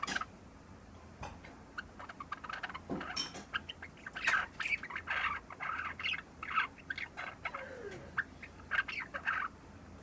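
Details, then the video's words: A Java sparrow, barely three months old, rehearses its subsong indoors: irregular bursts of clicking, chirping notes with brief pauses, a short descending slur near the end, and a faint steady hum behind. "文鳥 ぐぜり（さえずり）の練習"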